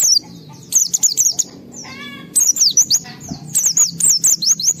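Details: Excited white-eye singing in high, rapid bursts of thin whistled notes sliding up and down, delivered in quick repeated phrases with short pauses; a brief lower harmonic chirp sounds in between, over faint low background hum.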